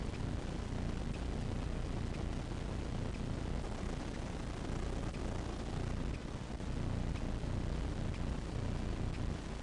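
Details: Dense, even hiss and rumble like wind or engine noise runs throughout, with faint ticks and no animal voice.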